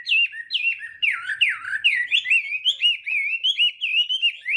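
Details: Chinese hwamei singing at dawn as voice practice, fighting song: loud whistled phrases dipping and swooping, followed by a steady series of short looping notes, about two or three each second.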